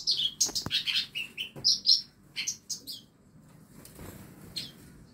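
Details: Caged tutor songbirds in a home aviary: a quick cluster of bright, high chirps and a sharp click, then the calls thin out into near quiet.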